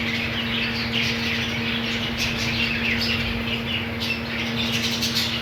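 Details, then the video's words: Many budgerigars in a colony with green food chatter nonstop in dense, scratchy chirps and warbles, with brief louder squawks toward the end and a constant background hum. "Budgies colony"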